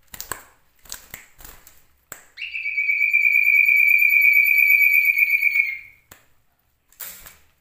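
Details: Male common iora, a caged songbird with a rich repertoire of imitated songs including canary and cililin, delivering one long steady whistled note held about three seconds, bracketed by brief sharp chirps and clicks.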